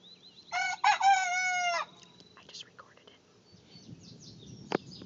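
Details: A hen crowing like a rooster gives one loud, drawn-out harmonic crow of about 1.3 seconds. Short faint notes follow, with small bird chirps and a sharp knock near the end.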